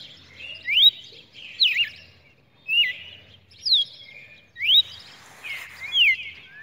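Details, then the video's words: Recording from 23 June 2019 of a red-cowled cardinal: loud, clean whistled phrases, each a rising or wavering slur, given about once a second with short quiet pauses between and a faint low hum. "Galo de campina"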